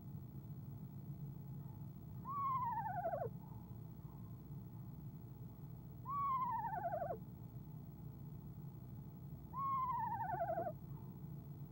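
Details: Evening trilling by a female eastern screech owl in a nest box, late January, before she flies out; three short descending whinnies spaced roughly four seconds apart, each sliding down with a fast tremolo, steady low hum throughout.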